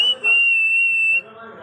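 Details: Pet parrot giving one long, pure, steady whistle held for about a second, clear and level, then stopping abruptly into quiet room noise.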